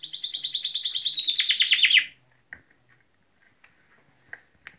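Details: Common chaffinch singing: a fast, bright run of repeated notes that descends in pitch and ends in a brief flourish after about two seconds, followed by a few faint clicks and short chips in near silence.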